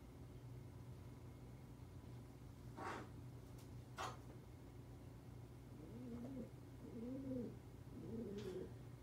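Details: Captive tawny frogmouth, usually kept in a cage, set out indoors in a room where wild birds were flying loose, sitting quietly. Two sharp knocks come first, then three low, soft, arched hoots about one second apart over a steady room hum.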